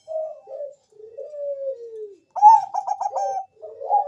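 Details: Bangkok-type zebra dove heard as a lure to set other doves singing, giving soft low coos and a long descending tone, then a louder burst of rapid, stuttering, bubbling notes ending in a wavering coo.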